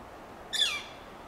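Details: Northern flicker in Del Monte Forest, California, with another flicker calling nearby while one forages; a single loud, harsh, downslurred kyeer-like note lasting about a third of a second, rich in harmonics, against quiet background.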